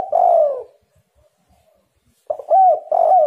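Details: Spotted dove calling, used as a lure to make other doves answer: a long, low, smooth cooing note that falls slightly, a pause, then a quick run of short rolling coos ending in a sustained coo.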